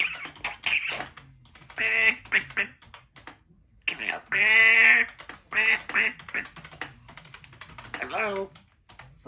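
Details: Young African grey parrot, female, indoors in a home office, practising words: a string of short nasal, speech-like phrases and squawky syllables in bursts with brief pauses, alongside keyboard typing.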